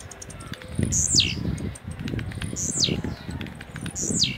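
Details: Caged blue-black grassquit in Jacarepaguá, Rio de Janeiro, Brazil, delivering rojão song: three high, buzzy, steeply descending phrases roughly every 1.7 seconds, over steady low rumbling background noise.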